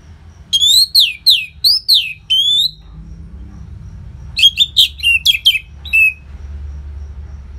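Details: Anis merah, the Orange-headed thrush, singing loudly as a training track for caged birds in Bali: a run of swooping downslurred whistles, a pause, then a quick burst of clipped chirps.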